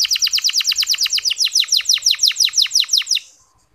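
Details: Canary singing a soft 'ngeriwik' chirping trill, played as a lure to spur reluctant male canaries to sing: about twenty bright downward-sweeping notes in a steady rapid series, then fading out.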